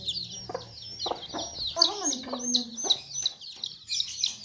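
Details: A Sussex mother hen defending her chicks makes angry sounds: clipped clucks, then a drawn-out, falling, growling note, over a dense chorus of thin chick peeps.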